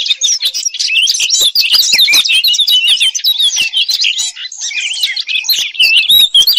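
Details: European robin singing a dense, high, rapid stream of thin warbled and trilled notes that tumble and twist without a break.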